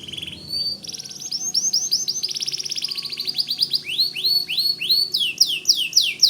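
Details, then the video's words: Gacor song of a white canary, suitable for training white-rumped shamas: a steady rapid trill builds into pulsing repeated notes, followed by loud downward-arching whistles repeated several times a second. "Suara Kicau Kenari Putih Gacor Dor Cocok Buat Masteran Murai Batu"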